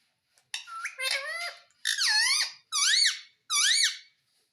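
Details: Talking parrot repeating "Mitthu Mitthu" utters four drawn-out harmonic, speech-like syllables in succession. Each swoops down then up in pitch, spaced about a second apart, with no other sounds.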